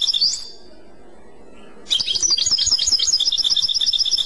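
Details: European goldfinch, clochette song: a brief twitter, a silent gap, then a rapid steady string of high tinkling, bell-like notes repeated about three times a second.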